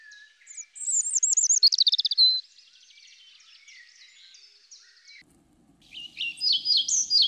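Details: European robin (Erithacus rubecula), a Russian forest bird, singing a high, thin phrase of sweet warbles and a quick rapid trill that fades into softer twittering, then a fresh burst of bright, tumbling notes.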